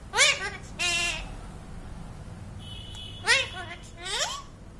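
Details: Parrot mimicking the phrase "Waheguru Ji", heard twice as pairs of nasal speech-like syllables with a rising final note, plus a faint steady electronic beep.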